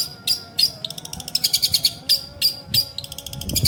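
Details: Shrike, a bird offered for sale, singing a rapid string of sharp, high chattering notes in bursts, some quick trills between, with a steady electrical hum underneath.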